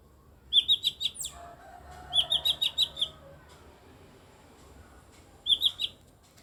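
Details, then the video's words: Mini blue-winged leafbird aged eight years: three separate bursts of quick, high, evenly spaced chips, each burst four to six notes, with quiet gaps between. "CUCAK IJO MINI BERSUARA ANEH"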